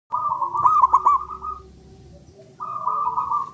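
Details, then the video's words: Local male zebra dove singing, used to prompt silent or lazy doves to respond: a rapid stuttering burst of soft coos runs into a steady sustained coo, then after a brief pause another sustained coo phrase, with faint background noise. "PANCINGAN AMPUH!!! PERKUTUT MALAS BUNYI 🔊BISU🔇 CEPAT DI RESPONS APAPUN JENISNYA"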